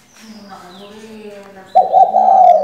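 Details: Spotted dove hen kept as a decoy to prompt male song; a soft low droning with thin whistles leads into one strong, rough, steady coo that runs to the end.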